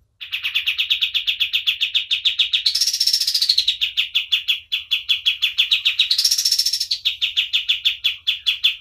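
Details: White-eye in vigorous, full song, a recording meant for tutoring other caged birds: fast chips repeated steadily, broken twice by a higher, buzzy rushing trill that rises and then settles back into the chipping.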